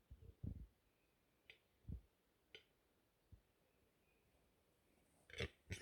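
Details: An angry male Western Capercaillie in Lääne-Nigula parish, Läänemaa, Estonia, in April 2021. Deep, short grunting knocks come about every one and a half seconds among sharp dry clicks, ending in a louder cluster of clicks and grunts.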